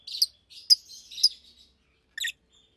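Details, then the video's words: Pair of adult Fischer's lovebirds in a cage, pastel green and blue, chirping by day: a few scratchy high chirps with a buzzy trill, then a brief gap and one last short chirp. "Lovebirds Chirping, Lovebirds Singing - Two Agapornis Fischeri"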